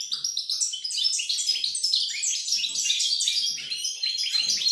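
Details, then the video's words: Rapid, varied European goldfinch song from 28 November 2020: crisp repeated chirps and tinkling trills strung in quick bursts, some notes descending slightly, delivered continuously with a few soft low thumps in the background. "Chardonneret , El jilguero , bird , cardellino pezzato , GOLDFINCH SONG"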